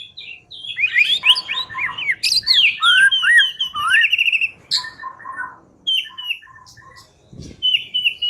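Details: White-rumped shama song intended as a lure to make another bird sing: a dense, varied outburst of whistles, trills and rising notes, then softer scattered chirps after a short pause.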